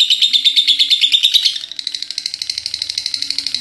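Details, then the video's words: Caged pet lovebird doing ngekek, chattering without pause until morning: loud grating pulses for a second and a half, then a quieter, thinner run of quick clipped notes that carries on evenly. "Love bird ngekek gak berhenti henti ampe pagi"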